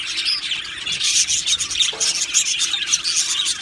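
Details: Budgerigars singing in a colony aviary: unbroken, lively high chirping and chattering from many birds, sprinkled with brief whistled notes, over a faint low hum.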